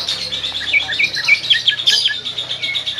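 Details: Pied-plumaged green leafbird in training for a singing contest, practising rapid trilled ngetrok phrases and responses to a rival; dense high chirps and short warbled notes over light room noise.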